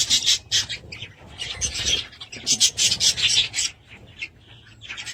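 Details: Several budgerigars produce bursts of harsh, grating chatter, rasping and buzzy, in uneven rapid clusters with short gaps between them.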